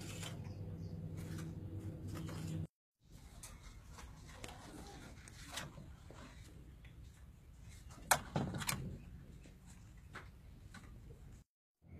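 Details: Low rumbling hum with scattered knocks and clatters, like a door or drawer handled indoors, with no animal voice.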